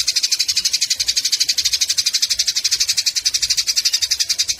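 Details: Eurasian tree sparrows in a fight, recorded for training songbirds: steady, shrill, buzzy chatter of closely repeated notes, about four per second, with no pauses.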